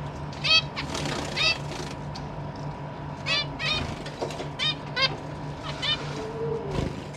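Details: Zebra finch family in a cage, parents feeding young that recently left the nest; frequent nasal, trumpet-like harmonic calls in quick succession from several birds, over a low electrical hum.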